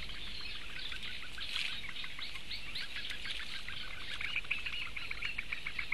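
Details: Four small Eurasian bittern chicks begging for food, 16 May 2017: rapid, steady series of short ticking pulses over a continuous high hissy chatter, with a low background rumble throughout.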